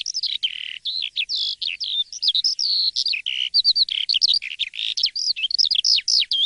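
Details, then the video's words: An Asian pied starling in full morning song, loud and continuous. It strings together clear slurred whistles, short upswept notes and harsher chattering phrases in a dense, varied flow against a quiet background. "Kicau dipagi hari!! BEGINI JALAK suren yang gacor dan ngeplong di waktu pagi"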